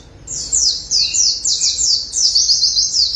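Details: Zosterops white-eye after water-therapy bathing sings a bright, high, rapid warble of repeated slurred notes in short bursts, growing more continuous toward the end.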